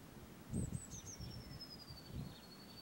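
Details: A Eurasian blue tit sings its spring territorial song: two or three very high, thin notes, then a long sibilant line that slowly drops in pitch, over low rustling and rumble.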